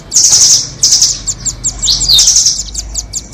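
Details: Trapping lure of rambatan doraemon versus red-billed rambatan nuthatches: continuous shrill trilling with rapid chattering notes and a short sweeping whistle near the middle, high-pitched and loud.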